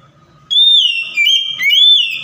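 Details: White-rumped shama song used as a lure to provoke silent, stressed shamas into answering: three long, clear whistled notes held steady at a high pitch, each shifting slightly up or down, separated by brief breaks, over a quiet background.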